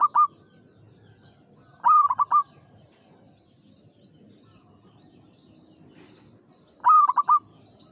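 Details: Local zebra dove (perkutut), said to sing often, gives a cooing phrase of several quick notes that rise and fall and end with a short trill, repeated about every five seconds over faint low background hum.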